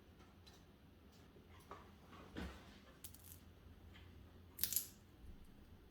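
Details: Quiet indoor room with scattered clicks, crunches and a couple of sharp snips, with no animal voice.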